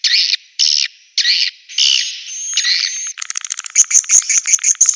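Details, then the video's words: Swiftlets recorded for a swiftlet house: several short, high, harsh chirps about half a second each, one drawn-out buzzy note, then a fast run of crisp clicking twitters. "SUARA BURUNG WALET"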